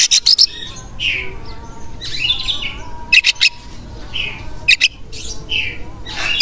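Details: White-rumped shama in full song: loud bursts of high harsh notes alternating with slurred whistled phrases, delivered irregularly, over a constant faint low hum.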